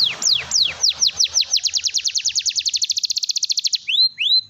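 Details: Vigorous canary song used to coax non-singing canaries: slow high descending whistled sweeps accelerate into a rapid, even rolling trill, then break into a few rising-and-falling whistled notes.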